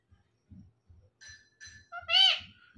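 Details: Pet parrot, one of a male and female pair, talking: a harsh, harmonic, word-like call rising then falling, given after several short squawky syllables, while a person speaks softly in the background.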